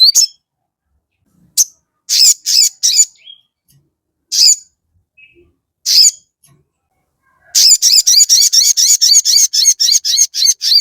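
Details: Crested jay song, played as a lure to provoke other birds into answering. Scattered sharp high chirps in short bursts with pauses, then a fast run of about a dozen rapid, evenly spaced chirps at the end.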